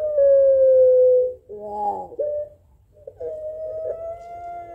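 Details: Puter pelung Barbary dove in a calling duel with a rival: a long, slowly falling held note, a quavering middle phrase, then another drawn-out steady tone.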